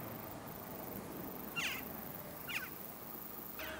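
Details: Western jackdaws in a flock before a storm: three short, sharp chack calls spaced about a second apart, each a quick downward-bending note, with steady low background noise.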